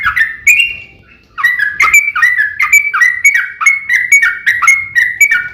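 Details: Yellow-vented bulbul singing a long, rapid fighting song meant to provoke other bulbuls into replying. A short opening burst and a brief near-silent gap give way to an unbroken run of quick, gurgling, downslurred notes.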